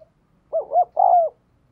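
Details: Spotted dove decoy bird cooing to spur other doves to call: one low, mellow phrase of two quick wavering notes followed by a longer drawn-out coo that slides downward, in a quiet setting.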